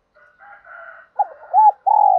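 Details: Spotted dove decoy voice meant to provoke wild males: soft, raspy background calling at first, then loud rounded coos and a long steady final coo.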